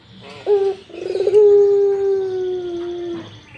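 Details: Barbary dove cooing in breeding mood: a short rolled note, then a trilled stutter sliding into one long, even, low coo held for about two seconds before fading.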